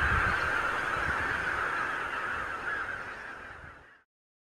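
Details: Wild geese by the thousands meeting on morning meadows and farmland in the Lower Rhine region, Germany, camcorder recording: steady chorus of overlapping honks that fades away into silence after about four seconds.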